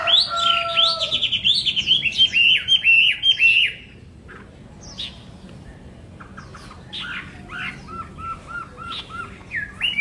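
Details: Chinese hwamei song: a loud rush of rapid repeated whistles, then a quieter gap with scattered notes, ending in a row of soft, evenly spaced low whistles and a final high phrase.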